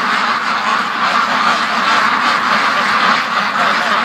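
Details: Large free-range domestic duck flock rushing to the lake, a dense continuous chorus of overlapping quacks forming a steady wall of sound with no gaps.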